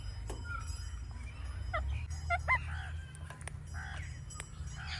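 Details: Natural vocalising of an Indian ringneck parakeet: a series of short, sharp harmonic chirps and clicks, bunched around the middle, with faint broadband ticks against a constant low background hum.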